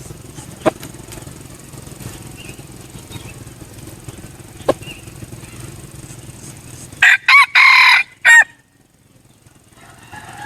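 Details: After several seconds of quiet outdoor background with a couple of faint clicks, a Red junglefowl decoy bird gives one loud crow. Two quick notes run into a long, harsh, sustained phrase and then a clipped final note, followed by near silence.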